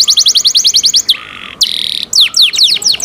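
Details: Canary in cenkok-style song: quick descending whistled notes repeated several times a second, a long flat buzzy tone, a steady ringing note, then more swooping downslurred whistles.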